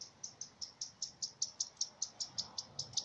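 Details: Common redstart alarm signal from a chance recording: a steady run of short, sharp high ticking notes, about five per second and evenly spaced, over faint low background rumble.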